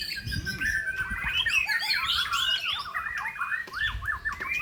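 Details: White-rumped shama, Medan type, in full song: fast varied warbling of whistled notes and churring phrases, ending in a string of repeated downward-slurred notes, with low murmuring noise in the background.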